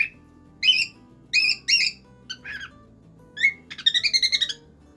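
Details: A cockatiel sings bright, warbling whistled phrases in short bursts, ending with a quick run of repeated chirps, over faint low background music.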